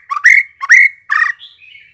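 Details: Short burst of white-rumped shama lure song: three strong rising whistled slurs with harsh overtones, followed by softer high thin notes.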